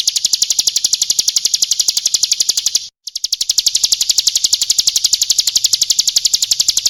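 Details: Lure recording of a female bar-winged prinia calling to males: a long, steady stream of piercing high chips, roughly four each second, briefly interrupted by a tiny gap before the same even rhythm resumes.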